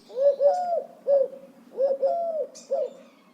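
Eurasian Collared Dove gives a soft, burry three-note coo, the long middle note stressed, repeated twice. Faint high chirps from other birds sound behind.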